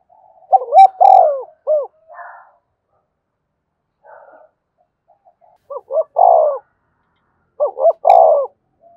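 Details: Caged decoy spotted dove calling to rouse newly trapped birds. Three coo phrases, each double rising hoots leading into a long burry falling note, come roughly every three seconds, with faint soft rustling sounds between them.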